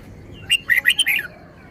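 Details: Red-whiskered bulbul singing one crisp, cheerful phrase of five or six quick, bubbly whistled notes rising and falling, heard clearly against a quiet background.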